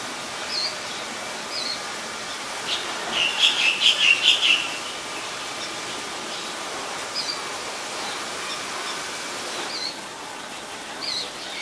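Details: Ashy drongo in Ubon Ratchathani, Thailand, on 11 April 2022: short high chipping notes spaced through the clip, with a rapid burst of buzzy, scratchy notes at mid-clip, against a steady hiss of background noise.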